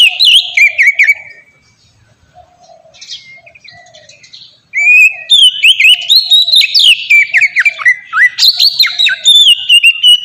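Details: Oriental magpie-robin singing melodiously, played to coax captive magpie-robins into song: a loud whistled burst, a quiet pause with soft distant chips, then a long rich run of varied slurred whistles and rapid trills.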